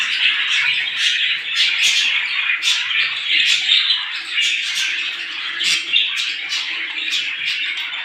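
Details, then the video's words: Small birds in the morning, a dense continuous chorus of many overlapping high chirps and twitters with sharp bright notes peaking every half second or so, no other clear sounds "صوت العصافير في الصباح"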